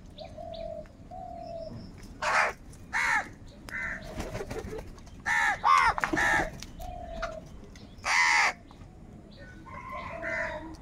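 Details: Crows calling loudly as a group, described as angry and fighting for food: about six harsh, hoarse caws in irregular bursts, with soft steady cooing tones in between.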